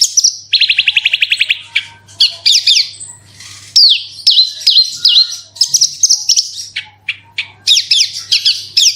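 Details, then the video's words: Horsfield's bush lark lure song, 'gacor super roll tembak' style, intended to set other kept birds singing: a long fast rattling trill, then varied swooping whistles and sharp chips, with a quiet low hum. "BRANJANGAN ANDA KURANG GACOR PANCING SUARA INI PASTI LANGSUNG IKUT BERKICAU"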